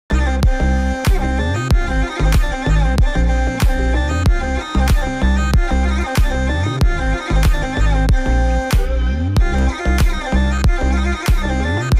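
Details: Only rhythmic instrumental music with a heavy bass beat is heard, with no animal sounds.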